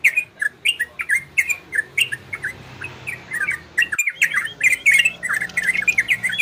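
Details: Orange-spotted bulbul song in the Ropel and Garudo style, said to stimulate breeding condition in listening birds: lively chattering run of short whistled, slurred notes, rising and falling, delivered rapidly with a brief pause near the middle, over a faint low hum.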